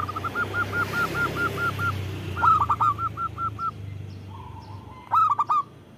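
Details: Vocal local zebra dove, used as a lure and provocation for other doves. A string of about ten short, even notes is followed by pulsed coo bursts. A steady low hum runs underneath.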